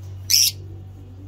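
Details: Single harsh, shrill squawk from lovebirds in a breeding collection, lasting about a fifth of a second, with a steady low hum in the background.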